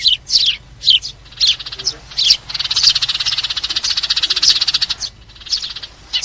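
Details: Sparrow flock-gathering call for trapping: several sharp, descending chirps followed by a sustained rapid buzzy trill lasting about two and a half seconds, then more single chirps.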